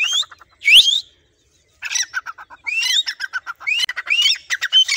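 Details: Grey francolin held by an owner who cues it with a whistle. A sharp rising shriek comes first, then a pause, then dense chattering pulses woven with repeated rising whistles.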